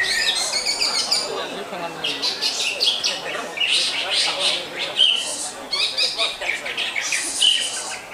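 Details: Greater green leafbird giving a scratchy, high, fast song of chattering trills and squeaky notes in clustered bursts.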